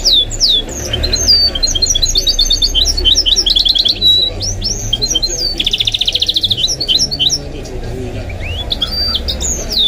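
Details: A pet goldfinch-canary mule sings a fast, varied stream of high twitters, bright whistles and rolling trills, said to include nightingale and other birds' songs, nearly without pause, over a low indoor rumble.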